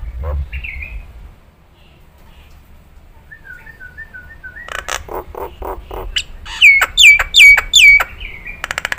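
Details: Nias hill myna training song for cage birds to learn: short whistled phrases, a soft trilled run, buzzy chatter, then four loud, bell-like descending whistles in a row, ending in a raspy rattle.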